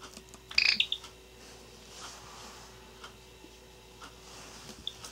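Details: An angry Java sparrow, possibly in a bad mood, gives one sharp, high, ringing chirp followed by a tiny softer peep, then only faint indoor hum and quiet ticks; recorded 14 January 2017; Java sparrow.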